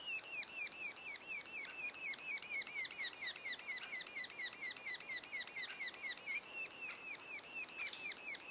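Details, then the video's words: Noisy sapsucker nest two days before the first fledge: an unbroken series of scratchy, downward-slurred chirps, roughly two each second, sometimes overlapping as if several voices call together. "Sapsucker nest"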